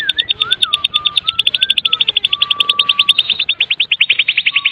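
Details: Medan white-rumped shama singing kretekan, a lure to set other shamas singing: an unbroken fast metallic rattle throughout, with soft wavering and flat low whistles beneath it.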